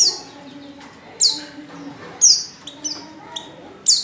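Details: A female white-eye in heat calls a male with sparse, piercing high chirps spaced about a second apart over a soft low background hum.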